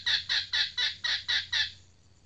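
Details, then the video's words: Seven loud, rasping cackles from a female red junglefowl decoy bird, evenly spaced about a quarter second apart, each note falling in pitch, then the series stops. "Ayam Hutan Pikat Betina 180"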